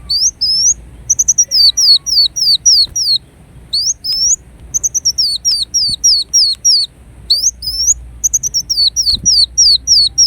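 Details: Ruby-cheeked sunbird (kolibri wulung) in an energetic song of rapid, high, thin notes, mostly down-slurred, in bursts broken by brief silences, with scattered clicks.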